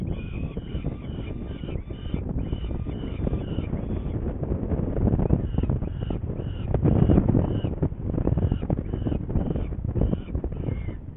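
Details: Rapid series of grating, ringing notes, several each second, from a saker falcon in Hungary, 21 May 2019, 11:30, heading for prey; the calling fades midway and returns near the end, with heavy wind rumble throughout.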